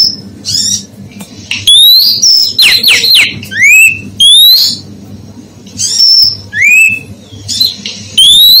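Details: Female oriental magpie-robin whistling to rouse male birds: a busy run of clear rising and falling slurred whistles, several fast downward strokes, and repeated upward sweeps in close bursts, with a faint constant low hum underneath.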